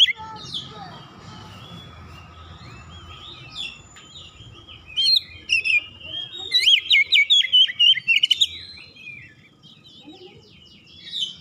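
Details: Household Oriental magpie-robin answering another bird with song. A hiss of background noise and soft scattered chirps run under a central burst of about ten loud, rapid whistled notes, then quieter warbling.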